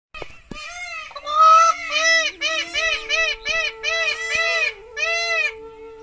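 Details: A peacock in Tharparkar gives a fast run of about eight loud, nasal, wailing notes, each arched and rich in overtones, over a steady low hum.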